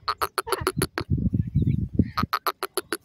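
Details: Francolin, or teetar: loud, harsh, staccato notes in quick runs at the start and end, with a stretch of low rumbling noise between them.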